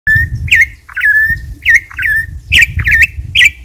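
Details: Campo troupial singing: a run of loud, short whistled notes near mid-high pitch, each with a hooked, slurred shape, about seven phrases in under four seconds, over steady low rumbling background noise.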